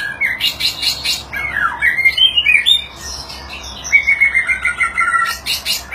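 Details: White-rumped shama, a murai batu, singing a varied song during display: buzzy bursts, rising and falling whistled phrases near the middle, and a run of rapid repeated chattering notes late on, with harsh high rasps between.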